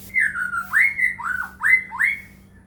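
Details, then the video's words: White-rumped shama lure song to provoke singing in other shamas: a short burst of four or five smooth looping whistles, rising and falling, over a faint low hum. "murai batu gacor AMPUH buat PANCINGAN murai batu agar bunyi"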